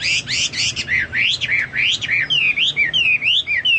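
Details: Chinese hwamei song likened to cucak Papua or cucak mas: loud rising and falling slurred whistles, repeated about twice a second, shifting to thinner, higher wavering notes.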